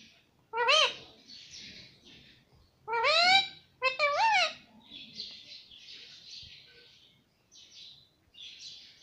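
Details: Pet parrot saying mummy, three loud rising-falling harmonic syllables in quick succession near the start, followed by quieter scratchy chatter.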